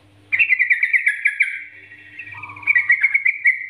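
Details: Trucukan bulbul in lively training song: rich bubbling warbled phrases at mid-high pitch, a lower gurgling passage, then another chattering run, over a faint low hum.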